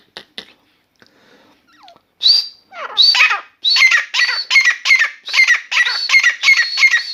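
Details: Captive grey francolin in a room, singing on and on: scattered soft notes give way to loud harsh calls, building into a steady rhythmic run of ringing, repeated phrases about every half second.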